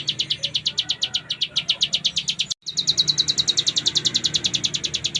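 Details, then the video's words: Ciblek gunung pouring out rapid ngebren notes, high and sharp in a fast regular run, broken by a short silent gap midway before resuming at the same pace. "Cigun Gacor Full Ngebren !!!"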